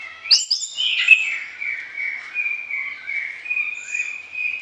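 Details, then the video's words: Orange-headed thrush in persistent, varied song intended for training other songbirds in the morning and evening; sharp high opening notes flow into a continuous, wavering whistled warble with little pause. "ANIS KEMBANG GACOR DOOOR, VARIASI ISIAN"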